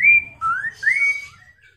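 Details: Chinese hwamei song used to coax other birds into answering: three sweet, drawn-out whistles in quick succession, the first high and level, the next two sliding upward, fading out at the end.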